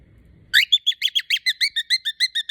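A cockatiel gives a rapid series of loud, shrill, harmonic screeches, about seven each second.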